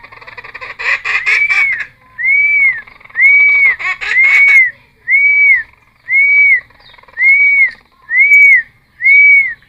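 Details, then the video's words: Cucak timor song for luring and training wild-caught birds: harsh, rattling chatter mixed with long arched whistles, then a regular series of smooth, rising-and-falling whistled notes about once a second. "Cucak Timor Gacor Full Isian MP3 Untuk Pancingan Burung Bahan"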